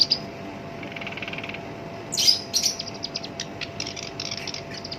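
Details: Black-browed reed warbler in captivity, called shinchan, its coarse song used to provoke other birds into singing; a faint rattling trill, then a loud harsh burst followed by scattered dry ticks and buzzes.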